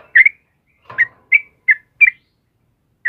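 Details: Sooty-headed bulbul (trucukan kebo) singing in the morning: six short bright whistled notes, each quickly rising and falling, spaced roughly half a second apart with brief silences between.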